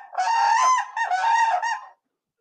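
A Whooping Crane gives a loud, brassy trumpeting whoop, broken into two or three rough bursts over about two seconds, then silence.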